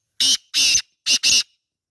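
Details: Wild black francolin calling in natural surroundings: four harsh, rasping, broadband notes, two short then two longer, delivered in quick succession over about one and a half seconds, with silence around them.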